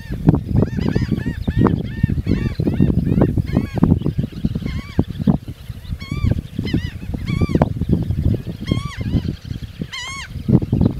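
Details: Several geese honking repeatedly, with short rising-falling nasal notes coming every second or so, over constant low rumbling noise.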